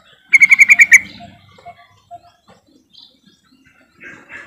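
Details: Yellow-vented bulbul, its call used as a lure to start silent birds singing: one lively burst of about six quick, liquid, ringing notes, followed by near silence and faint chirps.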